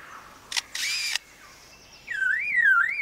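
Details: Lyrebird in a forest imitating man-made sounds: a click, then a burst of rapid mechanical clicks like a camera with a motor drive, followed by a loud wavering whistle that rises and falls like a car alarm.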